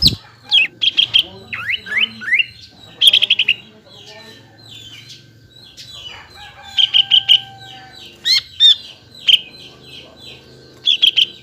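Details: Greater green leafbird lure song, played to make raw and group-kept leafbirds answer and sing: bursts of sharp chirps and quick upslurred whistles in scattered clusters, with a faint steady hum underneath.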